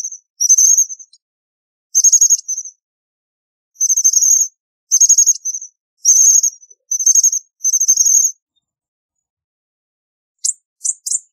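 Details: American bushtit giving very high, thin twittering bursts, each a quick buzzy trill of tiny notes, repeated about every second with silent gaps and a few sharp ticks at the end.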